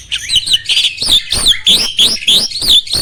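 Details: Caged starling from Indonesia singing a bright, fast run of repeated whistled and buzzy notes, about three per second, each note sliding up and down in a tight high register, in a competition song style with roll, shot and speed elements.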